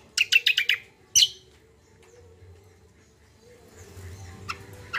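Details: Lively common iora song played to stir untrained birds: a fast burst of five harsh high chirps, then one more note, followed by near quiet with faint distant notes and a steady low hum.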